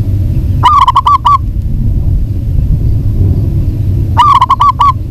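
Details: Local zebra dove, a female calling to a male, produces two matching bursts of six or seven quick cooing notes about three and a half seconds apart over low background rumble.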